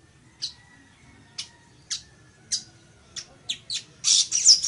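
Village weaver giving harsh, buzzy, high notes spaced about a second apart, quickening and ending in a loud wheezy chatter.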